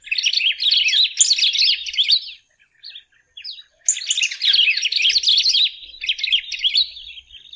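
A Golden-billed Saltator gives two long bursts of rich, jumbled, high-pitched warbling and twittering, separated by a brief pause with a few soft notes.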